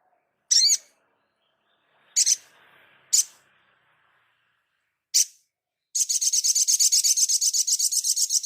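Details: Crimson sunbird master recording for training songbirds: four separate high, thin chip notes at irregular gaps, then a fast, even, buzzy trill of rapidly repeated high notes running steadily to the end, with no other sounds.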